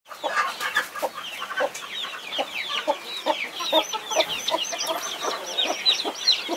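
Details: Mother hen protecting her 21 chicks, giving low, short clucks in an irregular series beneath constant high, rapid peeping from the chicks.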